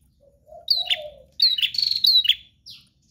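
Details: Bar-winged prinia, a prenjak singing energetically: bright chirping bursts around high pitch with sharp downslurred notes in two dense phrases, preceded by a lower soft whistled tone.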